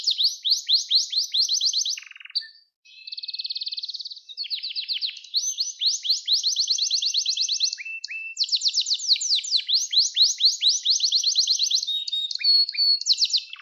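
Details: Canary song recorded for training young canaries: long varied song of rapid falling trills, buzzy rolls and whistles, with one short pause, fast and continuous.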